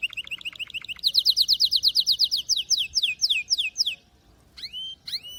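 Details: Singing canary. A quick series of short notes gives way to a loud tour of slurred descending syllables, about five per second, that slows toward the end. A brief pause follows, then upward-swooping whistles.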